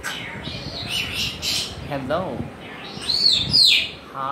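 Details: Mixed chatter from a pet African grey parrot: soft noisy notes, a quick buzzy rattle, then two bright arching whistles close together.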